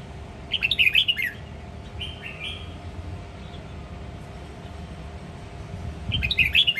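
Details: Red-whiskered bulbul of the Sông Kon line from Quảng Nam, Vietnam, singing a varied 'ché nẹt' style song: a quick warbled burst near the start, two slurred whistles around two seconds, and another chattering phrase at the end, over steady low hum.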